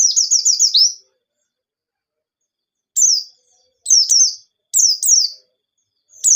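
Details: Forest-style white-eye song with rapid nembak bursts, played to encourage untrained birds: opens with a fast rattling run of five high falling notes, then silence and scattered pairs of sharp downslurred whistles.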